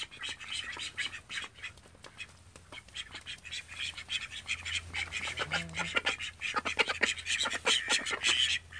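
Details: Flock of thirteen call ducks kept indoors at home, a long chorus of rasping, high quacks that grows denser and louder toward the end, with a steady low hum and a brief rising tone midway.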